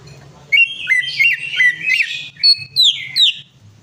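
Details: Greater green leafbird singing a lure song meant to set off a bird that won't sing: quick, varied whistles, slurred and buzzy, rising into high sharp notes near the end. A faint hum runs underneath.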